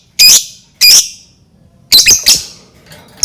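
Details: Lovebird bait call meant to prompt other lovebirds to sing: two loud, piercing squawks half a second apart, then a quick doubled burst of shrill chirps and a final clipped note.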